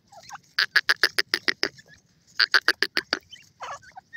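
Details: Grey francolin, the Canadian grey teetar variety, gives two bursts of loud grating notes in fast succession, each about a second long. Quiet chirps from small birds are heard around them.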